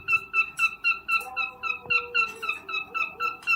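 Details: Cockatiel mating call during breeding: a steady series of short clear whistled notes, about four each second, with a faint lower tone drawn out beneath part of the sequence, recorded indoors.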